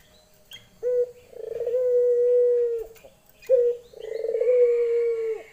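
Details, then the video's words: Lenjeh-style calling by a female Barbary dove seeking a male: two rolling coos, each opened by a sharp short note. The first coo is long and steady, and the second rises in vibration before fading. "puter betina memanggil jantan.lenjeh"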